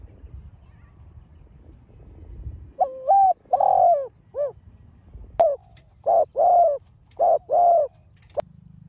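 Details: Spotted dove cooing, the field-mixed voice style used to stir a caged bird into calling. After quiet, low mellow coo phrases start near three seconds, a hooked note, a long sliding coo and a short drop, then repeat.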